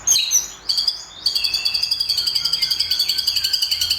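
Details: Champion white-rumped shama in a simulated competition, opening with sharp whistled notes and then pouring out a sustained, rapidly pulsed high trill that runs steadily to the end.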